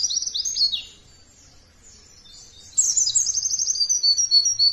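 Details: White-eye song to prompt other birds to sing: a quick high twittering burst, a second of near silence, then a long run of shrill chattering notes and fast trills.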